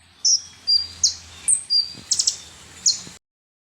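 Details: Sunbird called konin or kolibri ninja, song used to provoke birds: several high, thin whistled and buzzy notes spaced about half a second apart, a short rapid triple note, then one final shrill note before silence.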